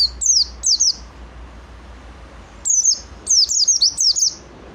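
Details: Pleci, the oriental white-eye, in full song: two brief high falling whistles, a pause, then a rapid burst of thin down-slurred notes packed closely together.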